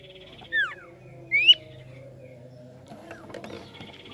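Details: Javan pied starling undergoing nerve training, with two clear whistles, one falling and one rising sharply, then quiet clicks over a low hum.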